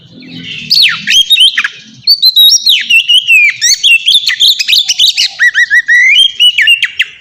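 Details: Ngeplong-style song of an Oriental magpie-robin, played to draw untrained birds into song. After a soft start, a long, fast run of clear whistles and clipped chirps with bright sliding notes, nearly without gaps.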